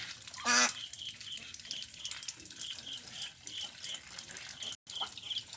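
A single loud, nasal duck quack rings out early, then gives way to steady high chirping from other small birds.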